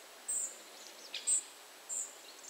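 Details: Tree pipit in Poland (51.94N, 20.12E) giving three thin, very high, short call notes about a second apart, with a fainter downslurred chirp in between.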